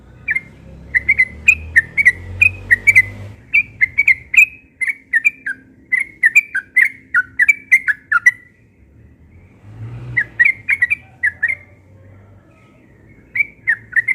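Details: Morning ropel singing by a yellow-vented bulbul, insistent and fast: long runs of chirpy, wavering whistled notes in two bouts separated by a short silence, with passing vehicle rumble underneath.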